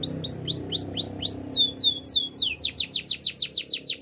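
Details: Wild canary delivers a chain of arched, sweeping whistled notes that quicken into a steady rapid series of down-slurs, about four to five each second, with a faint low hum beneath.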